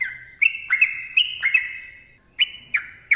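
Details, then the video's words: Short burst of sooty-headed bulbul song in the gacor ropel panjang mbonang style: several clear whistled notes sliding down then levelling, a short gap, then three quick sharp whistles. "TRUCUKAN GACOR ROPEL PANJANG MBONANG SUARA RAPAT"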